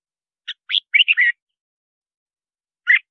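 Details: Red-whiskered bulbul song for luring wild birds and voice training: a tight run of four or five rich, warbling whistles in just under a second, followed after a pause by one more fluty note.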